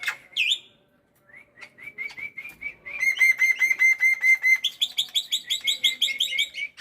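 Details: Morning song of a pet black-winged myna: a sharp opening note, a spaced run of soft whistles, then loud, fast, level whistled pulses changing to higher, bright, buzzy notes in quick succession.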